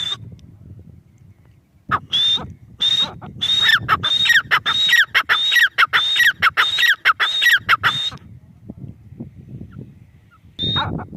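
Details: Grey francolin (teetar) starting after a quiet two seconds of low background, then a six-second rapid, regular series of shrill, whistle-topped calls, fading to near silence with one last call at the end.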